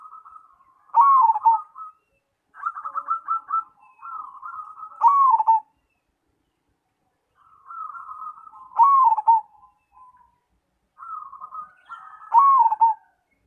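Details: Zebra dove, a cemani perkutut, singing repeatedly: rolling stuttered coo sequences that build into loud dipping coo phrases, about five of them across the stretch, with short quiet gaps.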